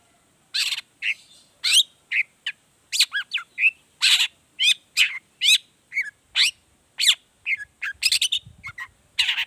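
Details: Long-tailed shrike in lively 'gacor' form, a 'toet toet' variation used as a lure to get other shrikes singing: a rapid stream of varied short whistles, chirps and buzzy rising notes, packed closely with brief gaps.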